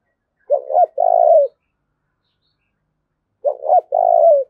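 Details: Decoy spotted dove cooing to spur rivals into fighting, two matching phrases about three seconds apart, each a short double note followed by a long, rolling, slightly falling coo.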